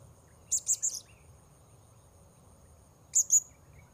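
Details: Serindit, the Blue-crowned hanging parrot, during a session luring wild birds at a new site. A rapid trio of piercing high chirps, then a pause and a pair of thin shrill notes, with constant insect drone behind.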